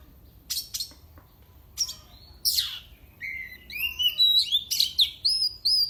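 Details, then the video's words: Oriental magpie-robin song meant to rile rivals, from a kept bird in Indonesia. Harsh scratchy bursts and a falling sweep open the phrase, then a run of clear rising and bending whistles grows louder near the end. "kacer CAPTAIN milik bos ZUAN SS BUAH SF. Kicauannya bikin musuh makin Emosi."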